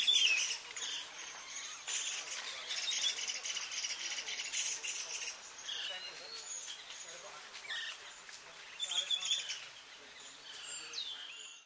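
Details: White-throated Laughingthrushes (Garrulax albogularis whistleri) at Pangot, India, in November 2023, several birds keeping up a dense, high chatter of squeaky notes and short rising whistles, calling over one another throughout.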